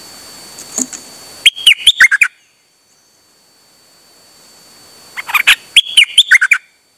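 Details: Dok taeng bird singing non-stop on 8 September 2023, two fast bursts of rapid whistled, sliding notes about four seconds apart, each burst roughly one second, with a soft call beforehand.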